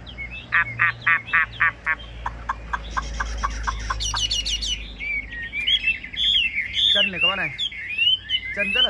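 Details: A caged Chinese hwamei, about 85–90% tame, sings loud, varied phrases: a quick run of repeated sharp notes, then rich rising and falling whistles and slurs, with faint background hum.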